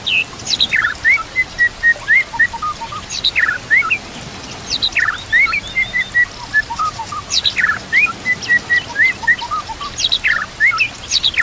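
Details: White-rumped shama song for training birds, with nature sounds and trickling water: a phrase repeated about every two to three seconds, opening with sharp high downward notes, then a line of short flat whistles.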